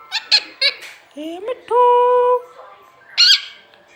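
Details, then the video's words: Pet green parrot squawks in quick short bursts, then gives a rising whistle that flattens into a steady, bright tone held for about a second, followed by a final harsh squawk indoors. "Parrot sound Bolne wala totha talking Parrot"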